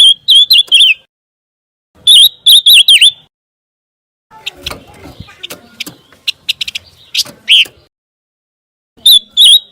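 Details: Scarlet minivet song used as a model for contest White-rumped Shamas: phrases of four or five bent, clear whistles repeated after short pauses, with a stretch of soft irregular clicks between them.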